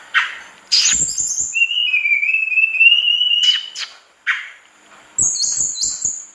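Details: Captive mangrove blue flycatcher singing: a long, steady whistle with slight wavers, framed by very high thin notes and brief sharp ticks.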